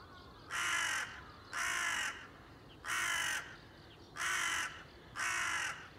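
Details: Harsh, broad crow caws from a single bird on 30 September 2020, five in steady series roughly one per second, each lasting about half a second, with soft high chirping behind.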